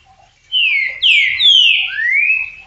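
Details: Green-winged saltator delivers a loud phrase of long, sweet, slurred whistles, the first notes falling and the last one rising, each run smoothly into the next.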